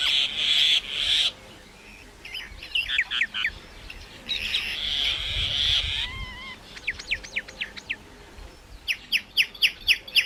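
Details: Myna alternating harsh hissing squawks with runs of whistled notes. A few low fluty whistles are heard, and the clip ends with an evenly spaced series of bright, clipped chirps.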